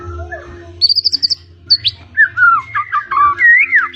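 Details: Blorok White-rumped shama singing vigorously, full of fills with rolls and bursts: a fast series of high repeated whistled notes, a sharp rising slur, then a string of descending and rising whistled phrases over a steady low hum.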